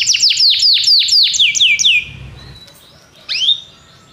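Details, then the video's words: Belgian canary song opens with a rapid run of falling chirps slowing over two seconds, then a pause and one rising note. "canário belga cantando"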